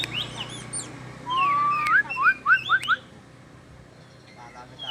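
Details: White-rumped shama strutting and showing off, singing a long rising whistle followed by five quick upslurred notes in a row, with softer chirps before and a quiet stretch afterward over low background hum.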